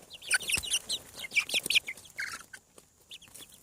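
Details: Newly hatching farm chicks, seven weeks: loud bright cheeping in quick bursts, several chicks calling over each other, then softer scattered peeps.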